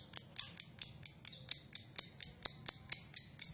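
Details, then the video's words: Long rough ngekek of a lovebird, played to provoke other lovebirds into song; sharp, high, piercing notes repeat in an even rhythm, about three or four per second, for the whole stretch. "Love Bird Ngeklek Panjang Kasar !!! Pemancing Love Bird"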